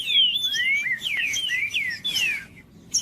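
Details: Green-winged saltator song played to warm up a quiet bird into singing: a run of clear whistled slurred notes, some falling and some rising, linked into a short phrase, then a pause.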